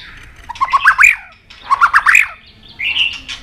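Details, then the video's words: White-rumped shama stirred into fighting song, tail flicking on its perch: two bursts of harsh, rattling chatter about a second apart, followed by a shorter buzzy phrase. "Chòe Lửa Đánh Đuôi Sàn Cầu Kích Lửa Hót Căng. luyện Chòe lửa hót đấu."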